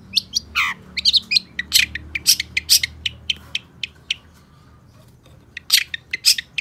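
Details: Long-tailed shrike chattering in a fast run of clicky, high chirps and a few downslurred notes, then a short lull before more sharp bursts; low hum in the background.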